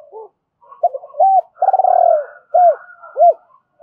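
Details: Spotted dove, a decoy bird giving double-voiced calling to lure other doves: one low cooing phrase of short hoots, a long burry rolling coo, then two clear arched coos, with soft faint notes between and no other sounds.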